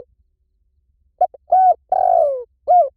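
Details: Spotted dove cooing: a short note, a brief stutter, then a level coo, a longer drawn-out falling coo and a final coo, all low and mellow in a quiet setting.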